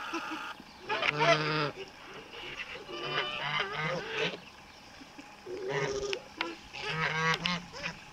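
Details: Male Kholmogory goose, pure white, hatched 2014, on a farm in Bulgaria, honking loudly in harsh, nasal bursts of several stacked notes, grouped in clusters about every one to two seconds, other geese faintly behind.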